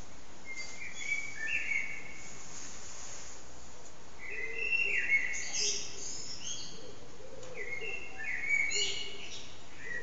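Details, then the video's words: Evening song of a common blackbird at sunset, recorded on an HTC Desire phone: rich fluted phrases that rise into high twittering ends, repeated every couple of seconds over a constant hiss. "Sunset with Blackbird's evening song"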